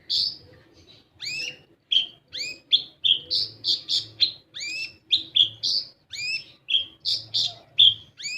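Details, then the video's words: Olive-backed sunbird song used as a lure to prompt young sunbirds to sing: a rapid run of high, thin chirps and downward-sweeping whistled notes, about two per second, with a faint low hum underneath. "Pancingan Kolibri Ninja Bahan Agar Bunyi"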